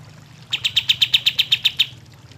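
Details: Olive-winged bulbul, played to coax lazy birds into singing: a string of about eleven sharp, evenly paced high chips lasting just over a second, over a low background hum.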